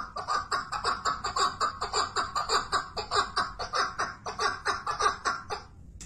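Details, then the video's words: Rapid, rhythmic chukar partridge calling: a long chain of throaty clucking notes delivered almost twice a second, stopping abruptly near the end. "keklik sesi )partridge sound )звук куропатки )sawt alhajal )chakuur voice birds )صوت الحجل"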